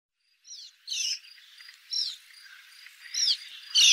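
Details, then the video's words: Short rising and falling chirps from a swallow, given in separate bursts about a second apart, the last one louder and buzzier. "Ласточка. Голоса птиц Росии"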